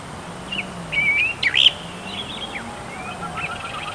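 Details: Tektekreyod bird singing: a thin rising whistle, then sharp high chirps and a wavering series of high notes, with other faint bird calls and a low hum underneath.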